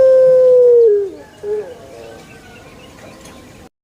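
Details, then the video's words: Pelung chicken crowing in a banana garden: one long, level, harmonic-rich tone that sags downward at its end, followed by a short, quieter rising note and a faint tail. "SUARA ASLI PUTER PELUNG"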